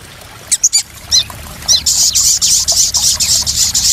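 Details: ['Sharp high squeaks and chirps from a crested jay, used as a lure for freshly caught birds, give way to a continuous pulsing hissy rattle at high pitch lasting two seconds.']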